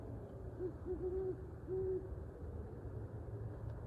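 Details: An owl gives quiet, low hoots: two brief notes, a slightly longer one, then a drawn-out hoot, with constant low rumbling noise behind.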